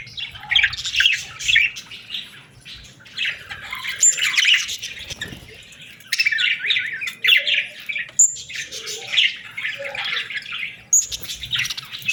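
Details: Hungry budgie chicks call for food in bursts of harsh, buzzy chattering squawks lasting a second or two, broken by short pauses, with occasional thin high notes standing out.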